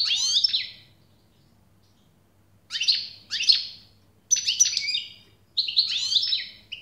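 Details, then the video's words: European goldfinch singing, bursts of bright twittering and tinkling notes about a second long, separated by short silences, with a faint low hum behind. "SAKA ÖTÜŞÜ"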